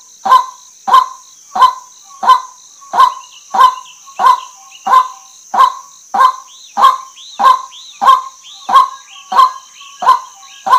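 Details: Long, regular run of about eighteen coarse honking calls from a female white-breasted waterhen, with a steady thin whine behind and faint looping chirps of other birds.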